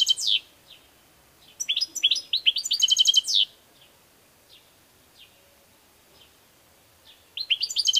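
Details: Song of a European goldfinch in bursts: a quick twittering phrase, a longer rapid trill of stacked high notes, scattered soft single chirps through a quiet stretch, then a new twittering burst at the end.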